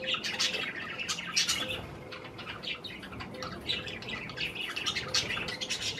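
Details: Tame budgerigars nibbling cherry tomatoes give rapid, scratchy high warbles and chirps in loose runs, with softer gaps between louder bursts and some light fluttering.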